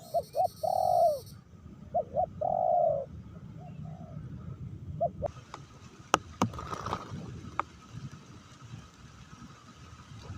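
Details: Spotted dove being lured in Meratus while rain comes down: a few short coos and long falling coos over the first three seconds, then the calling stops and sharp clicks and handling noises take over.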